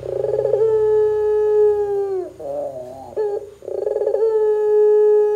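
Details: Barbary dove cooing so other doves start calling. A throbbing rolled onset runs into a long steady low note that sinks at the end, then a brief wavering phrase and the same roll-and-hold pattern again.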